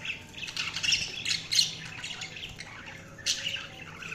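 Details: Pet budgies chattering in a steady, raspy warble, broken by sharper squawks near the middle and a loud chirp burst toward the end; faint low hum beneath.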